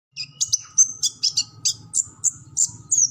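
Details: Sunbird sold as kolibri ninja, singing in a lively chattering style with a full repertoire, used for training captive birds: sharp high chips and short twittering notes about every third of a second, over a low steady hum.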